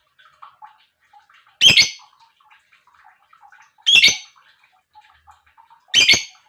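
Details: Lovebird chirps played to excite other lovebirds into singing: three loud, grating squawks roughly two seconds apart, with faint, low twitters in the gaps.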